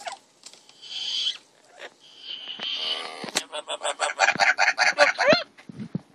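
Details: Pet double yellow-headed amazon gives harsh, speech-like squawks, then a quick run of about a dozen raucous, nasal calls, several a second.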